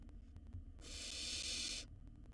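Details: One second-long, breathy screeching hiss from a wild barn owl nestling in its nest box as it eats a mouse whole, with low hum around it.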